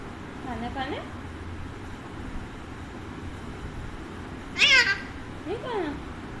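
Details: Talkative pet Alexandrine parakeet being offered food: a short speech-like harmonic phrase, a pause, then one loud raspy squawk followed by a softer wavering call, against low room noise.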